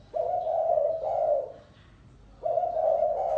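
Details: Spotted dove voicing long, steady, low coos in the 'lối gáy gù' style: two sustained phrases run together, a pause, then another long coo.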